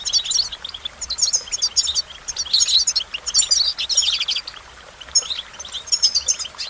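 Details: Goldfinch singing in rapid bursts of tinkling, high-pitched twitters and buzzy trills, separated by brief quieter gaps; the phrases sound bright and jumbled.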